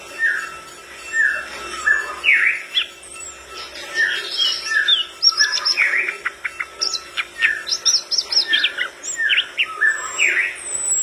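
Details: Flycatcher in vigorous full song that sets other birds responding: rapid varied chirps, short upward whistles and buzzy notes in a busy, tumbling stream, with a steady faint hum underneath.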